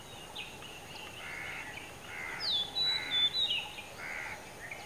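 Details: Wild Oriental magpie-robin perched high on a dead coconut tree in Kankavli, Sindhudurg, Maharashtra; sweet whistled notes, a bright downslurred phrase mid-clip, with fainter repeated chirps around it.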